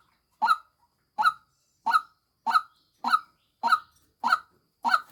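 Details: A female white-breasted waterhen used as a lure bird repeats a coarse, nasal croak about every 0.6 seconds, eight notes in a row.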